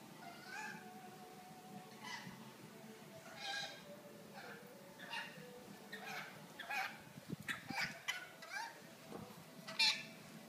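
A pet rainbow lorikeet mutters whiny, nasal talking sounds in short bursts every second or so, ending with a sharp squawk; a low room hum underneath.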